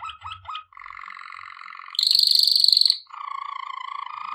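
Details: Waterslager canary singing for training: a few short upswept chirps, then a low rolling trill, a loud higher rapid trill for about a second, and a low fast pulsing roll.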